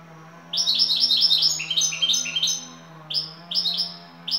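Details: European goldfinch from Turkey, a champion bird with şakşaklı song: a continuous string of quick, high, liquid chattering notes, then short separate chirps, over a steady low hum.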